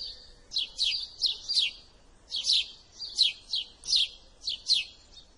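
House sparrow giving a steady string of bright, high chirps, singly and in quick pairs, about every half second, over a quiet background.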